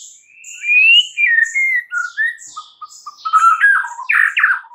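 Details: White-rumped shama singing in the morning, a varied run of clear whistled notes that slide and fall, then turn into rapid, busier chattering phrases near the end; no other sounds stand out.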